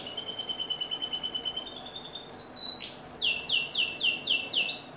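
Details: Canary song opening with a soft, rapid high buzzing trill, then a rising whistle leading into loud, repeated downward-slurred notes about three per second.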